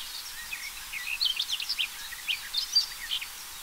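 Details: A garden warbler sings a fast, continuous, mellow warble of rippling notes; recorded 13 June 2024.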